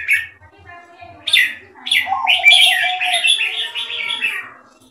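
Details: Red-whiskered bulbul in a singing contest, the bird Metallica against Koryor: a short warble, a pause, then rich rolling chattered phrases rising in loudness and fading at the end, with faint low thumps early on.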